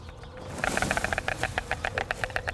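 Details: In Serbia, an adult White Stork returning to its nest with grasshoppers for a newly hatched chick greets its mate with bill clattering: a fast, dry, wooden rattle of about a dozen clacks per second, after a quiet half-second.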